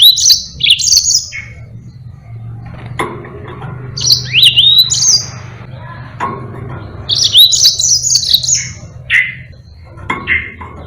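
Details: Captive Yellow-fronted canary singing in Indonesia, its song used to train other birds: short bursts of high sweet twittering and slurred whistles recurring every few seconds, with lower chirps between and a steady low hum beneath.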